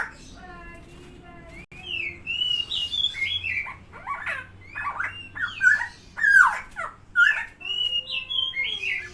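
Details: Vocal, tame helmeted friarbird (koak kao / cucak timor) calling loudly. Its notes are a jumble of harsh, liquid, bending whistles and squawks, delivered in rapid uneven bursts. A low hum runs underneath.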